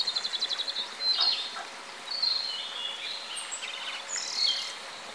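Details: Japanese robin song made of several bright, high trilled phrases, each starting with a thin piercing note and rolling into rapid pulses, repeated about every second with soft hiss behind.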